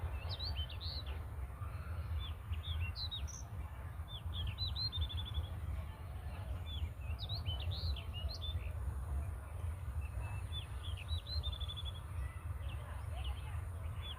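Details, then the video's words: Several small birds in a natural setting twitter throughout, with quick high chirps and short trills overlapping every second or so, over a steady low rumble of wind. "दोस्तों, हम आपको नेचुरल चिड़िया की आवाज सुनाते हैं। सुनिए।"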